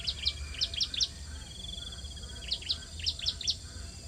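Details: Bar-winged prinia nestlings begging while being fed at their nest, giving two clusters of five or six piercing high chirps about two seconds apart, with a faint thin trill between them and low background hum.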